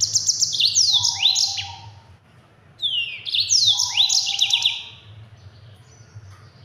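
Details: Yellow-fronted canary delivering a rapid 'ngerol' song for training other songbirds: two bursts of high trills mixed with steep descending slurred whistles, separated by a short pause, with a constant low hum underneath.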